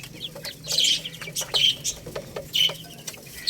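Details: Growing Lohmann Brown chicks, a young rooster and hen, eat rice while giving clear thin peeps about once a second, some in quick pairs, between sharp pecking taps.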